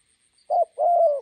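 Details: A single spotted dove coo pair, short then longer and steady, from a decoy bird meeting a wild bird beside a road in Gia Lai, Vietnam, over a faint high whine.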